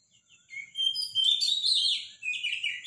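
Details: Robin singing in the morning, loud and powerful: a rapid tumbling phrase of high, sharp, twittering notes that sweep up and down, building into a dense warble. A steady thin high tone sits behind it.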